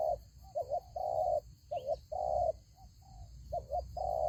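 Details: Spotted dove decoy at a ground fight trap repeats its coo: a stuttered two-part note followed by a long even rolling coo, three times in quick succession, with a brief faint whistle and constant hum.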